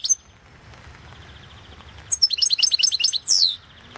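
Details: Competition song of a European goldfinch, 2016 World Championship in Goldfinch Song: after a single high note and a quiet stretch, a quick chain of sharp, ringing twitter notes ends in a clear descending slurred whistle.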